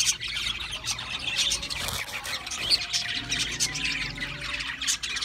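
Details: Budgerigars feeding on seed mix keep up a busy overlapping chatter of quick high chirps and short scratchy notes, steady throughout.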